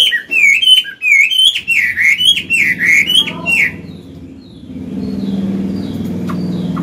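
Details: Old Chinese hwamei with a forest-style voice, song for training caged birds; loud looping whistles repeat in quick phrases, then fade into a low, steady rumble.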